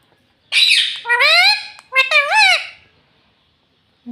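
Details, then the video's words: A talking parrot kept as a pet, said to say "mummy" and "papa": one harsh squawk followed by two drawn-out, voice-like rising and dipping words. "mummy bolne wala tota - Papa Bolne Wala Tota - Talking parrot"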